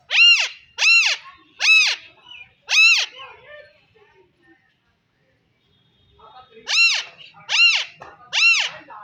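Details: Alexandrine parakeet giving loud, harsh, ringing squawks: four in quick succession, a pause of about three seconds, then three more.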